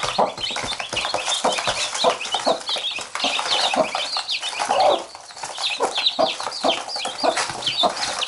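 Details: Mother hen among her chicks, soft regular clucks alongside busy, overlapping shrill peeps from the chicks; one slightly louder burst in the middle.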